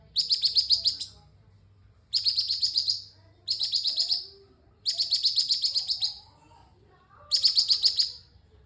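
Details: Orange-spotted bulbul singing lively, in full voice: five bursts of rapid, bubbling, chattering notes, each about a second long and spaced roughly one to two seconds apart, high and bright, over a quiet background.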